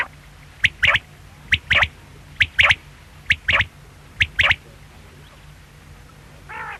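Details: Quail calling in a repeated three-note phrase, one sharp note followed by a quick double note, high and clipped, phrases coming a little under once a second against a low steady hum.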